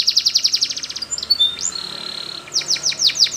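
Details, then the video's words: A Belgian canary used as a singing-training song gives a fast, bright trill of about a dozen high notes, then a long held whistle, ending in a run of quick descending chips. "The Belgie Canary's Seduction for the Canaries to Stop Sounding"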